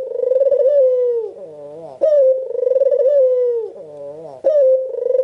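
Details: Red-eyed white Barbary dove cooing to stimulate other doves: long rolling coos that drop in pitch, separated by a brief wobbling note and a sudden rising accent, repeated roughly every two and a half seconds.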